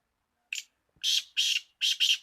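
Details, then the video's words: Black francolin (kala teetar) calling indoors: one short soft note, then a half-second pause, then three loud harsh grating notes, the last one doubled, in a quick rhythmic phrase. There is no other sound. "kala teetar ki awaz made - black francolin"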